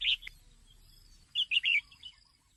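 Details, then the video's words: Female red-whiskered bulbul calling to stimulate males: a sharp bright chirp, a pause with faint twitters, then a loud quick three-note phrase and soft trailing notes over light hiss. "เสียงนกกรงหัวจุกตัวเมีย แก้ปัญหานกไม่เล่นราว ช่วยกระตุ้นนกกรงหัวจุกให้คึกคัก"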